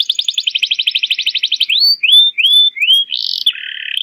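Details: Domestic canary song used as a lure to teach young birds to sing: a fast trill of repeated notes, then rising whistled slurs, a brief buzzy burst and a lower rattling phrase, all high-pitched and clean.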